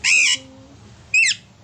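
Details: An Alexandrine parakeet gives two loud, harsh, screeching squawks about a second apart, each dropping slightly in pitch at the end.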